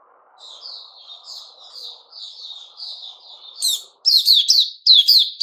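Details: Puteh raja, or white-rumped shama, in 'buka' song on 29 August 2021. It opens with soft, thin high warbling over a faint low murmur, then breaks into loud, sharp, rapid whistled notes.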